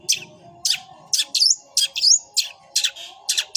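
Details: Long-tailed shrike singing in fighting mode, its song carrying sparrow-like chirps: short harsh buzzy bursts repeated about every half second, mixed with a few thin rising whistles. A faint low hum sits underneath.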